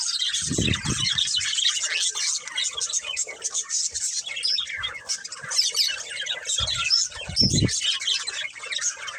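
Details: Budgies from a breeding pair give steady, high, buzzy chattering and squeaky chirps, while low rumbling bursts sound near the start and again toward the end.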